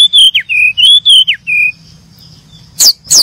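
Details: Brown-chested jungle flycatchers chirping: clear whistled notes alternating with sharp downslurs, a held lower whistle, then a quiet gap and two sharp high chirps.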